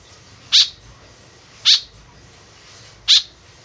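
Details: A white-breasted woodswallow's lure call: three short, harsh notes about 1.2 to 1.4 seconds apart, each loud and buzzy, with quiet hiss in the gaps.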